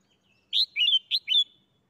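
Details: Red-whiskered bulbul kept in a cage, singing in the doubled "beun" (เบิ้ล) style: a loud whistled note and rolling warble, then the same pair repeated about half a second later, with no other sounds.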